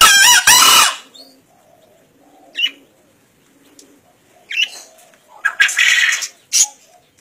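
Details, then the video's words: Wild-caught green junglefowl, 1.5 years old, from Kediri, East Java, filmed for a 2016 crowing contest: one loud, hoarse, high-pitched crow under a second long, then scattered brief rustles and scraping. "KOKOK AYAM HUTAN HIJAU"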